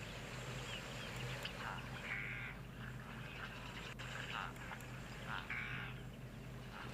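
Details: Cape crows at a busy waterhole on 5 October 2022 give harsh, nasal caws in short bursts about once a second, over a steady low hum and faint background voices.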